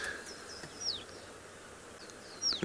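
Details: Swallows at sunrise on 26 July 2017 along a river in Djuma Game Reserve, South Africa, give two thin, high, downslurred calls about one and a half seconds apart, over a steady background hiss of insects and distant outdoor noise.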